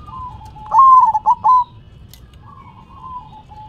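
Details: Zebra dove singing its manggung cooing song while shaking its head: a loud burst of four clipped, slightly rising coo notes, then quieter drawn-out descending coos trailing off, over a soft low background hum.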